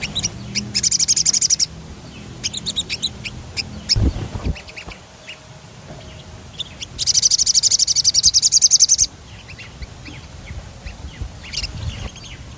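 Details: Lively sogon with a rolling song for training birds to sing: dense buzzy high trills lasting about two seconds each, separated by scattered chirps, with a short low knock midway.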